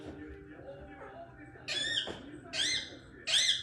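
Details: A talking pet Indian ringneck parrot gives three bright, harsh, speech-like phrases about a second apart over a low murmuring background.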